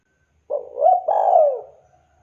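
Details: A single phrase from a spotted dove calling to its mates: a soft low coo rising into a longer, rolling coo that slides down and fades away.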